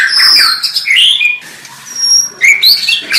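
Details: Song of the white-rumped shama: high, clear whistled notes and slurred phrases, separated by a short pause, then resuming with bright rising whistles.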